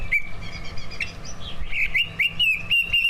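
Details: Kept, prize-winning greater green leafbirds, two birds, delivering a full song rich in mastered fill-in sounds, played to draw other birds into song: a steady stream of bright chirps and twittering whistles, quick and unbroken, over a low background hum.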